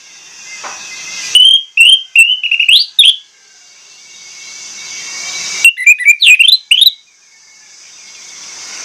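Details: Loud, high whistled phrases from an orange-headed thrush, two bursts of rapid notes with upward and downward slides, separated by several seconds of steady hiss.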